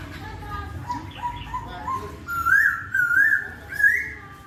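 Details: Laughingthrush singing melodiously, its song quickly drawing replies from a reluctant singer: soft low whistles at first, then louder wavering, warbled whistled phrases repeated about every second, with faint high chirps above.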